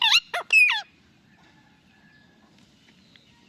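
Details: Indian ringneck parakeet kept as a pet gives three loud, rasping squawks, each bending down in pitch, packed into under a second, followed by near silence and a faint low room hum.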